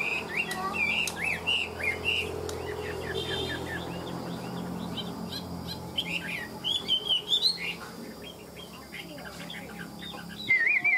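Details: Chinese hwamei, a tame bird of the "ngũ trường" five-part song style noted as a strong fighter, delivering a rapid jumble of short chirps and slurred whistles, some notes rising sharply near the end.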